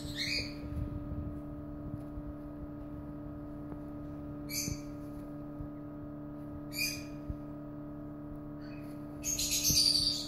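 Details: Lovebird chicks in a brooder: short bursts of high, hoarse squeaky calls in separate clusters several seconds apart, the last one longer and denser, over a steady low electrical hum.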